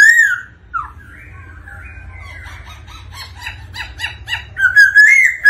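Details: Black-throated laughingthrush singing in response to a female's 'ro ro' call: an opening steady whistle, quiet wavering notes, a fast stuttering series of short chips, then loud, rising whistled phrases.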